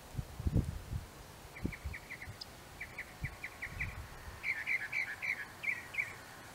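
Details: Northern mockingbird (Mimus polyglottos) singing in an apple tree: a quick series of short, repeated chirps, then a louder doubled phrase repeated several times, over low rumbling wind noise.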